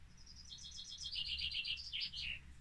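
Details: Male Common Chaffinch singing its repetitive song, played back as a recording: a bright rapid series of notes that starts high and steps downward like a waterfall, ending in a short flourish, over faint low background hum.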